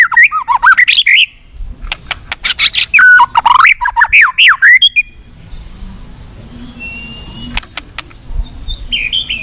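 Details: White-rumped shama from the forest delivering a fast burst of looping, warbled whistles and crisp clicks, then falling quiet apart from a thin high whistle and a few scattered clicks.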